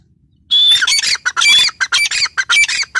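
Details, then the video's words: Female grey francolin, known locally as teetar, giving a fast burst of harsh, squawking notes with thin whistled tones, crowded together after a brief pause. "female teetar sound"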